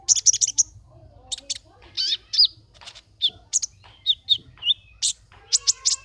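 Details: Brown-throated sunbird in a caged singing contest held online from Temanggung in June 2020, delivering quick high twittering: clusters of sharp chirps, thin whistles and short rising notes separated by brief pauses.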